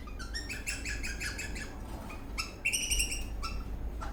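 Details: Dancing eastern rosella parrot in a happy mood: a quick run of short chirping notes, then a brief pause before louder ringing, slightly whistled chirps, over a steady low hum.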